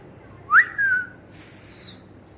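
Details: Grey parrot kept as a pet: a clear whistle sweeping up then gliding down, followed after a short gap by a higher, longer whistle that slides steadily downward; no speech or other sounds.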